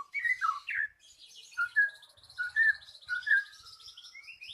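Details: Magpie-robin lure song meant to get a silent bird singing again: clear whistled notes and short slurred phrases, rising and falling, some sharp high twitters, with brief pauses between phrases.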